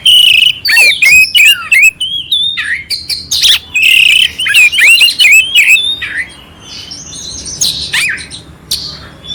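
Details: Clear oriental magpie-robin song with harsh fill-in notes, aimed at rousing a listless magpie-robin: repeated whistled slurs and dipping notes mixed with scratchy chatters, energetic and continuous.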